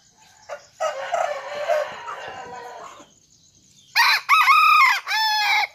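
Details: Junglefowl-blooded ornamental chicken, sired by a bantam–Serama cross, crowing: a harsh two-second crow, a brief pause, then louder, higher harmonic calls in three quick segments.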